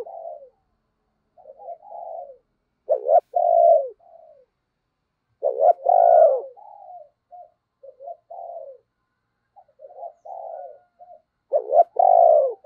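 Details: Spotted dove used as a lure bird, with a deep thunder-voiced song: three loud hoarse coo phrases, each preceded by softer muttered notes, spaced roughly four seconds apart.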